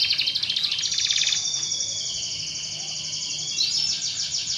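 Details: Canary song played to stimulate other canaries into full, rolling song: a fast trill gives way to a long, level high note, then a short rising note and another quick trill.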